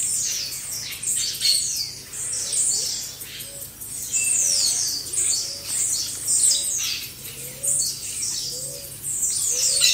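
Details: Flock of blue-black grassquits in a recording made for training caged birds: rapid high buzzy, sliding notes overlap almost without pause, with soft low arched notes repeating in the background.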